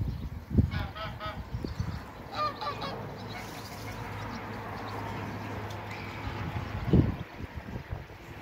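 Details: African geese on a waterbird farm, meeting another animal: loud, nasal, harmonic honks in short bursts near the start and again around two and a half seconds, with heavy thumps, a steady low hum and background farm noise.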